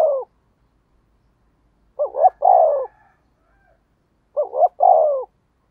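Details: Spotted dove decoy cooing: the tail of one phrase, then two full phrases about two and a half seconds apart, each a quick wavering double note ending in a longer, hoarse, falling coo.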